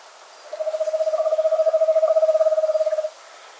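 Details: Eastern Screech-Owl giving its typical nocturnal trill, a steady, even-pitched tremolo of rapid low, mellow pulses lasting about two and a half seconds, in a quiet background.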